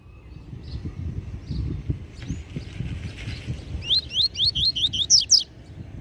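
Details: Master double-collared seedeater giving a Tui Tui Zel Zel tutoring phrase: roughly seven crisp rising whistled notes in quick succession ending in two emphatic buzzy notes, with low rumbling noise throughout.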